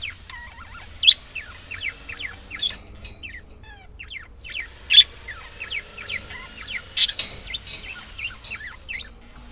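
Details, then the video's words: Budgerigars warbling: a continuous stream of fast, bending whistled notes and short chirps, broken by three loud clicking accents spaced about two to three seconds apart. "Волнистые попугайчики (budgies)"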